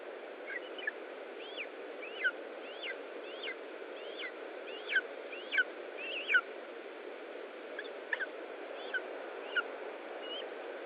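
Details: Lesser spotted eagles at a nest in Estonia during feeding, 20 July 2012, 15:45: a series of sharp, downslurred yelping notes repeated roughly every half second to second, some louder than others, over steady broadband background hiss.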